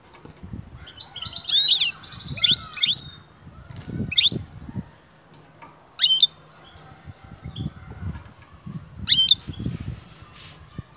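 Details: Excited female European goldfinch calling to the male to mate: sharp high squeaky chirps and short twittering bursts every few seconds, with low thumps and rustling noise underneath.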